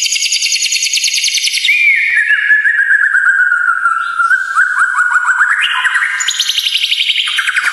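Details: White-rumped shama song for masteran training and provoking emotion: rapid buzzy trills sliding down from high to mid pitch, then a long wavering whistled phrase and renewed high stuttering trills, clean with no background noise.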